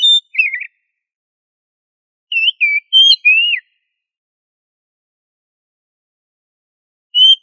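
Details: Oriental magpie-robin delivering 'gacor ngobra' song, used as a tutor recording. Short rippling, trilled whistles and level notes come in small clusters with long gaps. The last whistle sounds alone. Nothing else audible.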